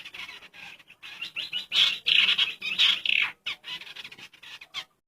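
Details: Male and female ciung air, a naturally formed pair, chattering in a dense stream of harsh, high chirps that swell in the middle seconds, then fade to scattered notes before silence.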